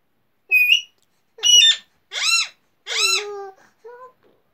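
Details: Pet Alexandrine parakeet indoors uttering a series of five harmonic, speech-like syllables, the middle ones arched and descending in pitch.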